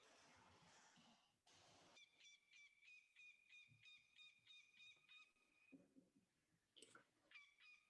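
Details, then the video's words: A goshawk, an unusually dark bird, gives a rapid series of loud, ringing, melodic notes, about three a second, for several seconds, with handling noise and rustling before and after. "And I have a little recording of the goshawk for the sound."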